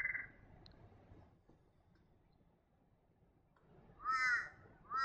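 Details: Torresian crow in the northeast New England region, NSW, Australia, giving harsh, nasal caws: one brief call, a longer wavering caw after a quiet pause, and another just beginning at the end.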